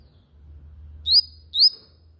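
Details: Yellow-bellied seedeater singing: two bright, rising whistled notes about half a second apart, each sweeping quickly upward, over a quiet low hum.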